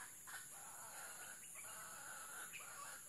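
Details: Red junglefowl crowing while being lured with a female decoy: a harsh, broken crow of several harmonic bursts over three seconds, set against steady high insect hiss.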